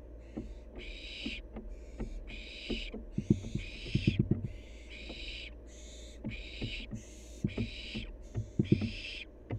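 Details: Playful wild barn owl fledgling repeating roughly eleven rasping, noisy hisses in quick succession, some closely paired, over a background of dull thuds and scuffling knocks.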